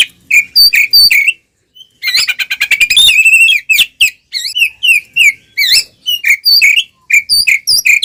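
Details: Oriental magpie-robin in loud, unbroken fighting song, tail spread, used as a lure to anger other magpie-robins: whistled phrases, a fast stuttering trill, then varied rising and falling whistles repeated briskly.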